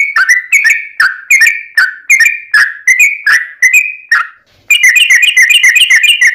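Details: Yellow-vented bulbul in long-rolling fighting song meant to goad other bulbuls into replying: a series of sharp, dropping whistled phrases, roughly two per second, then a quick bubbling chatter at the end.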